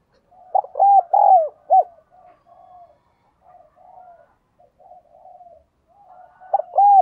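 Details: Spotted dove used as a lure bird, cooing and calling: a burst of four loud arched hoots, several quiet murmured coos, then another loud series beginning at the end.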